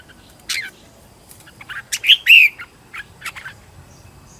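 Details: Red-whiskered bulbul kept as a decoy bird, singing to attract wild birds: a few scattered chips, then a loud pair of clear whistled notes, the second a longer descending slur, with soft low hum beneath.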